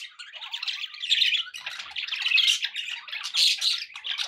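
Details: Pet budgerigar chatter: raspy squawks and short chirped notes run together in uneven bursts, rising and falling in loudness, nothing else heard.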